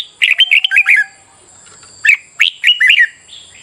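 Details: Morning red-whiskered bulbul song used to train birds and spur competitive singing: two bursts of quick, clear warbled whistles, each a rapid run of rising and falling notes, separated by a short pause, over a faint high hum.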